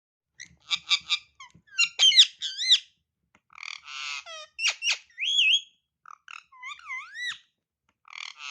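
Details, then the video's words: Ringneck parakeet talking: a run of chattering, speech-like phrases mixing buzzy harmonic bursts with clear whistled notes that swoop up and down, delivered in quick uneven bursts with brief pauses. "babe parrot talking!"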